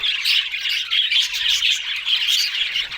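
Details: Budgerigars chattering: dense, continuous high twittering with scratchy squawks and short whistled notes, warbling without pause over the whole stretch.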